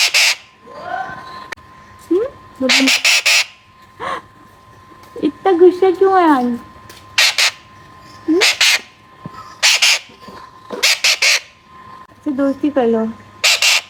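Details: Young Alexandrine parakeet giving repeated harsh, rasping screeches in short bursts roughly every second or two, mixed with a few wavering, nasal, tonal cries.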